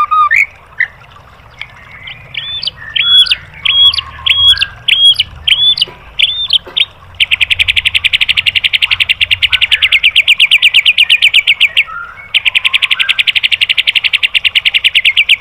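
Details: White-rumped shama tutor song for training caged birds: a row of bright, rising whistled phrases with low chuckling notes, then two long, fast, even metallic rattles separated by a brief gap.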